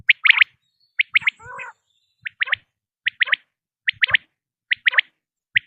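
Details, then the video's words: Common quail lure recording: clear three-note phrases, sharp and high, repeated about every second, with one short raspy note early on and quiet between phrases. "بٹیر کی اواز 1 گھنٹے کی Quail Beautiful voice"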